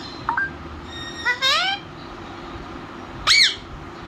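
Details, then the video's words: Talking parrot kept as a pet: a short rising whistle, then a drawn-out harmonic squawk sliding upward, and after a pause one sharp arched squawk, over steady indoor background hum. "My Talking parrot"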